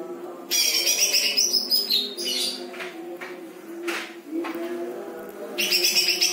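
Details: Greater green leafbird, a cage bird, singing with lovebird-style phrases: bursts of high, fast, scratchy chattering trills and twitters separated by short pauses, over a steady low hum.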